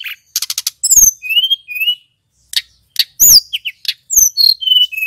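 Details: High-pitched lure song of a male mountain flycatcher, meant to excite other flycatchers: a short rattle, then looping whistled slurs and bright notes, with a few pauses.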